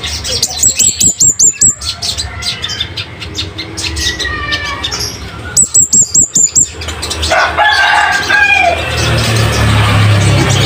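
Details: Loud, sharp song of a scarlet-headed flowerpecker (kemade bunga api) meant for tutoring caged birds. Two bursts of rapid, very high ticking notes, about eight each, are separated by softer twittering, with rustling noise at the end.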